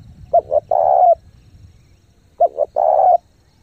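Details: Lure spotted dove cooing rapidly to attract wild doves; two phrases a couple of seconds apart, each two short clipped notes followed by a drawn-out steady coo.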